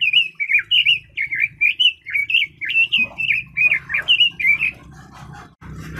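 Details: Red-billed leiothrix song: a clear series of short, powerful whistled notes repeated at a brisk pace, tailing off into quieter notes and a rustling noise at the end.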